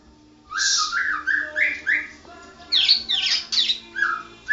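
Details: Murai batu, or white-rumped shama, a national champion bird in full ngoceh ngerol song. Silence gives way to quick, bright whistled notes, then a run of harsher, scratchy high phrases, with a steady low hum underneath.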